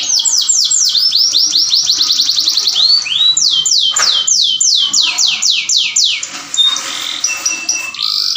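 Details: Mating song of a canary, used to stimulate other canaries: rapid series of descending whistled sweeps, first very fast then slower and louder, ending in thin high notes and a short trill.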